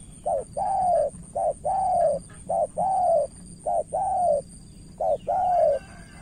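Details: Spotted dove from Cà Mau, Vietnam, a decoy bird calling against a seasoned rival it fails to win over. It gives paired coos, a short note then a longer arched one, repeated about once a second, over a steady high whine.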